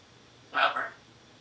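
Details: Congo African grey parrot, a female, in her morning chatter after eating, lets out one short, raspy, buzzing burst lasting about half a second in an otherwise quiet indoor room.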